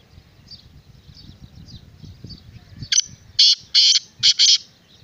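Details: A black francolin (kala teetar) delivers a rhythmic series of four loud, rasping notes, the last two paired, after faint high chirps from other birds and a low background rumble.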